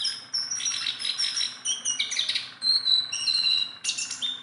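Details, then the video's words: Tame, nonstop-singing Sunda bulbul produces a rich medley of high warbled whistles and trills, then clear, level notes and a bright, burry final phrase. "BURUNG JONGKANGAN GACOR TELER JINAK PETETAN"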